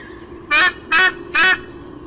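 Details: White-bellied sea eagle chick in its nest at Olympic Park, Sydney, Australia, on a morning in late July 2016. It gives three loud, harsh, rasping calls, each about a fifth of a second long and spaced roughly 0.4 seconds apart, over a low steady hum.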